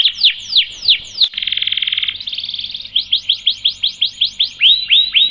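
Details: Canary in vigorous long-rolling song used to tutor and prompt other birds: slow sweeping downslurs, a buzzy sustained trill, then a steady run of upswept whistled notes about three per second.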